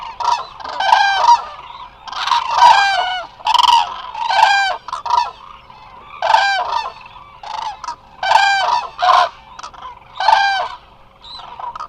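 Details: Many Eurasian cranes resting together at the Hula Nature Reserve in Israel, filmed by a live wildlife camera, give loud, harsh, trumpeting calls that overlap in quick bursts, the flock calling almost without pause.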